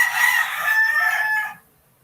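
A rooster's hoarse, drawn-out crow, held steady for about a second and a half before it cuts off into quiet.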